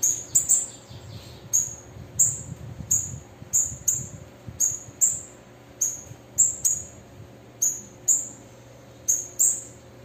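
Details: A female bananaquit calls steadily, giving a long run of very high, sharp, thin chips spaced about half a second to a second apart. A soft low hum sits underneath.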